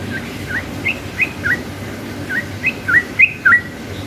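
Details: Lively yellow-vented bulbul singing in the long ropel style meant to provoke rival bulbuls to answer. Bubbly curled whistled notes in quick pairs, about eight notes, uneven spacing, over faint background rumble.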